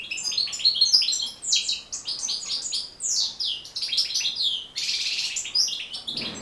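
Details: European goldfinch in full song, for training captive goldfinches: continuous rapid twittering of high, liquid and buzzy notes in tight runs, with brief dips between phrases and a dense rasping stretch near the end.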